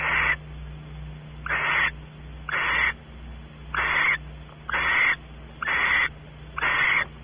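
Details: At Audubon Starr Ranch in California, barn owls call as the male explores the nest cavity and the female expects mating. Eight short, coarse hissing rasps arrive at roughly one-second spacing, set against a faint background hum.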